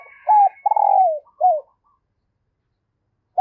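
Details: Female dove cooing to stimulate males: a short coo, a long pulsing coo ending in a downward slide, then a brief falling coo, a pause, and the onset of the next phrase.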